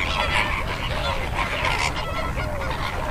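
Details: Chorus of greater flamingos, with continuous honking and chattering from many birds that blend into a busy, nasal wall of sound above low background noise.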